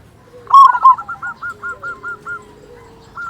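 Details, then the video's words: Loud local zebra dove used to provoke other doves to sing: one strong, bubbling double coo, then a run of about eight softer, even notes at a steady pace. "Perkutut Lokal Gacor Suara Besar Pancingan Burung Perkutut Agar Cepat Bunyi"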